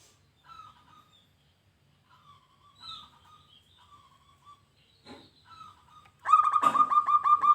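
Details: Local zebra dove (perkutut) singing: quiet, spaced, slightly falling coos for six seconds, then a sudden loud burst of rapid pulsed cooing notes with a sharp click at its start.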